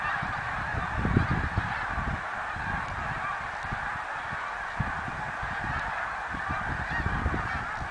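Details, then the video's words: Snow geese recorded in 2014: a huge flock gives a dense, unbroken wall of overlapping nasal honks, steady in loudness, with low rumbling thumps underneath. "Snow Geese song & dance 2014"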